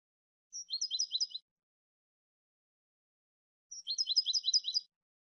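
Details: Two matching phrases from a goldfinch, each a short thin note followed by a rapid run of four or five high, twangy chirps, roughly three seconds apart.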